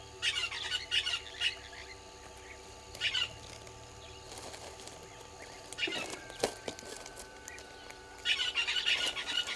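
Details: Early morning at a waterhole on Djuma Game Reserve, Sabi Sand, South Africa, 20 March 2022: red-billed hornbills below a fixed camera give short clusters of fast clucking notes, separated by pauses, with scattered clicks and faint background noise.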